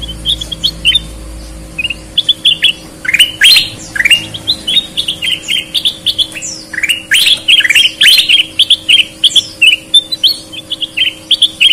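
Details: Sooty-headed bulbul, red-eyed or white-eyed, singing vigorously: quick bright whistled chirps and sweeping notes in a long steady run, starting softly and becoming dense and loud, with a faint hum beneath.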